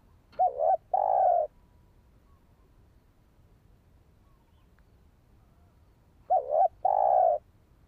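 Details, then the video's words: Spotted dove calling to rouse and train a decoy bird. Two low coo phrases about six seconds apart, each a quick wavering double note, then a drawn-out even hollow coo. The background is otherwise nearly silent. "Chim cu gáy chiêu kích mồi tập bổi nhanh nổi hiệu quả"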